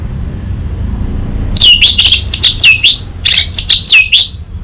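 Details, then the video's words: Orange-headed thrush (anis merah), used as master and lure song for training, singing a rapid series of high, sweet whistled phrases with quick slurred notes, in bursts after a quiet start, over a faint low traffic rumble. "Masteran Burung ANIS MERAH"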